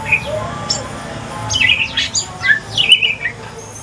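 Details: Mutated pastol white-rumped shama from Aceh singing in the evening; brief burst of slurred whistles and harsh chattering notes, fairly quiet with background hum.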